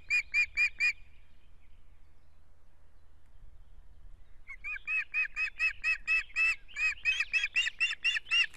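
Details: Osprey nest in Estonia, 17 June 2017, with one-week-old chicks fighting over dominance. A short burst of sharp whistled chirps, a pause, then a longer, steady run of loud harsh chirps about two per second.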